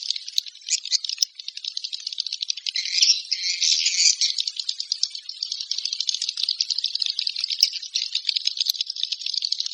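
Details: Swiftlet calls: a dense, steady stream of high, dry, rattling chirps, rapidly repeated and overlapping, with a brief louder burst near the middle and no other sounds.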